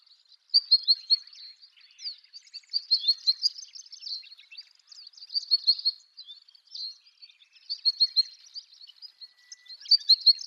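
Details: Long-tailed rosefinch at Wakka Primeval Flower Garden, Hokkaido, Japan, early morning: continuous high twittering in repeated clusters of sharp chirps every second or two, with softer background notes throughout.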